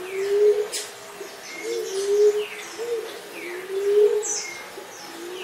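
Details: Common Emerald Dove calling with a steady string of deep, soft, slightly rising coos about two seconds apart, other birds chirping and whistling faintly overhead.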